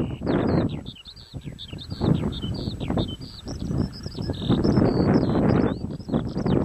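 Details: Eurasian skylark singing at Adderstonlee near Hawick: a high, continuous stream of quick chirping and trilled notes, with gusty wind and low rural noise underneath.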